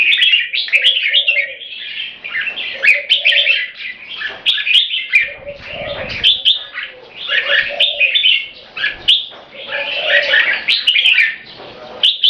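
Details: Red-whiskered bulbul, a tame Thai purebred kept for competition, delivering continuous keke calling: busy, harsh, rapid chatter phrase after phrase, with soft low hooting notes repeating underneath.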